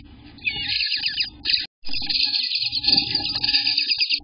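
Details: Eastern bluebird nestlings in the nest on day 18, recorded June 24th, 2021: busy, high chattering begging notes, nearly continuous, with one brief silent gap, and low hum beneath.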